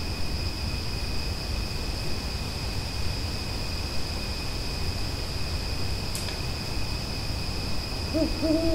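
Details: At night, an owl gives low, soft hoots, the clearest at the very end, over a steady rumble and two thin, constant high-pitched insect-like tones.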